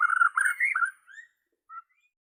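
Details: Brief phrase from a Borneo white-rumped shama: a quick fluid whistled warble, then silence and one short soft note.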